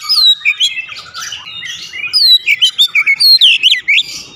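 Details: Lively song of an Oriental magpie-robin: a fast stream of bright, sweeping whistles and looping notes, delivered in tight repeated bursts with scratchy twitters between, clear and close.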